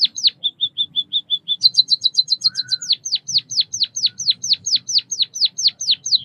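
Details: High, thin chirped song of a White-headed munia (Bondol kaji): a few level piping notes, a quick tinkling burst, then a long steady run of downward-swept chirps at a brisk pace.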